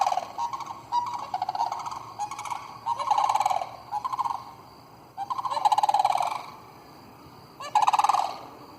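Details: About 27 Sandhill cranes, more than the recordist had ever seen in that spot, give loud, rolling, rattling bugles in overlapping bursts, several birds calling together in waves a second or two long.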